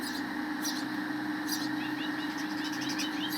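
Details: Sparrows feeding their chicks at the nest give short, high chirps, a few scattered at first and then a quicker run of small twitters, over a steady low engine-like hum.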